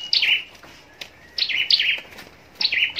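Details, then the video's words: Caged scarlet-backed flowerpecker raised for singing contests in Long Thành, southern Vietnam: three brief bursts of bright, high, downward-sliding chirps. "Chim Sâu Đầu Đỏ Hót Đấu"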